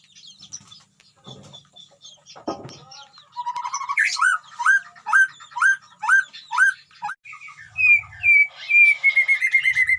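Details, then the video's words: Caged white-rumped shama in a colony enclosure with wild animals nearby: quiet scratchy noises, then a steady series of hooked whistles about twice a second, ending in a drawn-out descending whistle. "murai gacor di kandang koloni"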